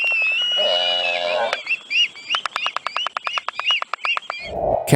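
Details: Black-footed Albatross display at a breeding colony during mate selection or disputes: a droning, groaning call gives way to fast bill-clacking, about seven snaps a second, laced with squealing whistles, then a brief rough rush.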